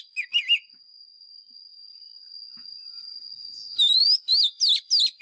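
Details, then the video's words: Fighting song of a wild Oriental magpie-robin lure bird, used to train caged birds: brief wavering whistles, a quiet gap with a continuous high tone, then loud rising whistled notes. "Chòe than mồi # Chòe than mồi Hót đấu CHIM RỪNG || Luyện giọng chòe than hót"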